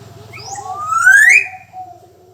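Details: Black-naped oriole, described as a lively singer, gives one bright, nasal whistle that climbs steadily and ends abruptly. A few short faint notes come before it over a steady low hum.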